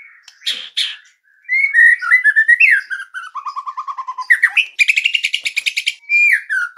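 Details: White-rumped shama master song, played to prompt other birds to sing: varied sequence of clear whistled notes, falling slurs and rapid repeated pulsed phrases, including a fast high buzzy trill near the end, with short pauses between phrases.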